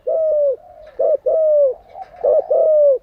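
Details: Spotted dove used as a decoy to train captive doves, giving loud low drawn-out coos alternating with short clipped notes, about one phrase every second, softer cooing underneath.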